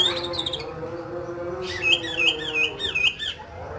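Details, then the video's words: Kacer, the oriental magpie-robin, in rough fill-in style (isian kasar) meant for training: a rapid zigzag whistled trill of high notes, repeated quickly, with a low humming tone underneath. "SUARA BURUNG KACER ISIAN KASAR"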